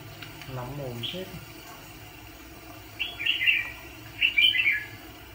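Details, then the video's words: Red-whiskered bulbul used as a decoy bird for trapping fighting birds gives short, bright, warbled whistled phrases after a soft low murmur at the start, with about two phrases in the second half. "Chà mào bẫy đấu"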